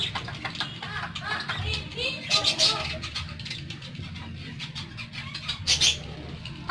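Parakeets chatter in quick, scratchy warbles with bright chirps and clicks, rising in bursts near the middle and end, over a low steady hum.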